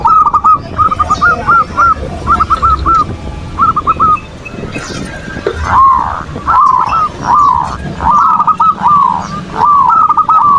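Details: Manggung song of a zebra dove, played to stir breeding condition and rival emotion in quiet doves: repeated phrases of quick, rolling coo notes, several rising and falling, in bursts through ten seconds, with faint background chatter.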